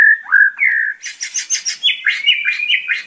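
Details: White-rumped shama (murai batu) song, training recording for young captive birds: clear whistled notes sliding up and down, then a burst of buzzy rattling phrases and a run of quick chirping notes.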